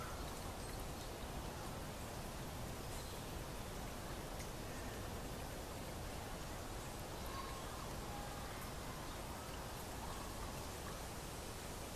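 Steady broadband hiss and patter like rain or rustling, with no clear animal voice.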